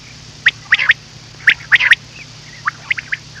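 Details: Common quail call for hunting at night: two sharp three-note phrases about a second apart, followed by softer, fainter notes, over a low background hum.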